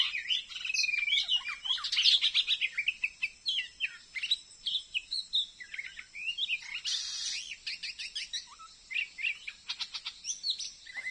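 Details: A wild Oriental magpie-robin, stuck on a glue stick in front of a house in a new Dayak Kenyah settlement, Indonesia, keeps fighting a decoy. It pours out fast, varied whistled phrases and clipped chirps, with one harsh buzzy burst midway.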